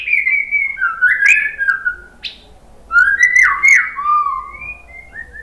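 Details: White-rumped shama song used as a lure to provoke other shamas into answering: varied whistled phrases, sliding and warbling notes, pauses between bursts, some sharp high clicks.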